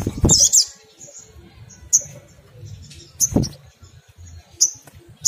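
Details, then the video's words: Crimson sunbird, ngriwik kemrecek song meant to coax other sunbirds into singing: a quick high twittered flourish, then isolated piercing high chips spaced over a second apart, with dull thumps and low rumble between. "SOGON ngriwik kemrecek untuk pancingan bunyi burung SOGON lainnya"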